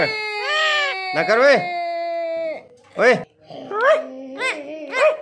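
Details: Ring-necked parrot talking indoors: long, steady, voice-like tones and bent syllables, with several short, sharp, breathy bursts toward the end.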